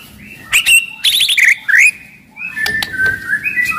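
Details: White-rumped shama, described as very aggressive with a loud voice, singing as a lure: sharp clicks and a buzzy burst, then drawn-out whistled notes rising and falling in short phrases.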